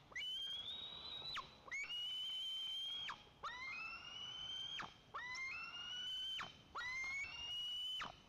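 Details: At a white-tailed eagle nest in Lower Kama National Park, Tatarstan, as the male brings fish for the eaglet: high, thin, whistled screams, each held about a second before dropping sharply, repeated roughly every one and a half seconds over a soft hiss.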